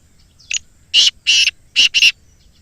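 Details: Black francolin call, offered as a recording to get captive francolins calling, from Islamabad: a loud, harsh, grating phrase of one short note, two longer rasping bursts and a quick closing pair.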